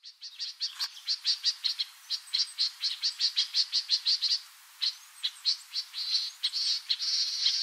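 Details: Yellow-breasted apalis near Port Alfred, Eastern Cape, South Africa, giving a rapid series of dry, high clicking notes, about four a second, with a brief pause midway.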